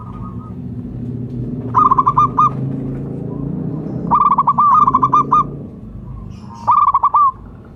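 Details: Zebra dove, local type, calling as a lure. It repeats bursts of quick, mellow, bubbling coos a few seconds apart. A low droning rumble sits in the background.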